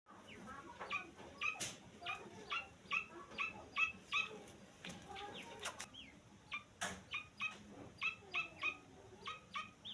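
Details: Grey francolin chick giving short, sharp high peeps with harmonics, repeated in quick irregular bursts of two to four, about a dozen groups over ten seconds, with faint low background murmur.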